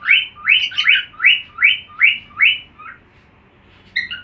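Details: Cockatiel song learned from another cockatiel: a row of upslurred whistles repeated quickly and evenly, trailing off into quiet, then a few brief higher chirps at the end.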